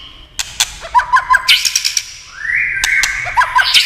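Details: Prompted by tail-tapping clicks, a white-rumped shama gives a run of short dropping notes, then a smooth rising whistle and another quick note series.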